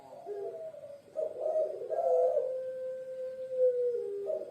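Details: Puter pelung dove, an Indonesian bird of Java kept by kings, starts with short coos, then rolls into a loud burbling phrase that ends in a long, evenly held, slightly falling note.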